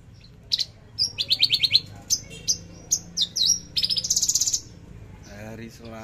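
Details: Trotol song of a Javan bush lark, 13 December 2022: quick runs of high staccato notes and brief slurred whistles building into a rapid buzzing burst, with a low rasping sound near the end.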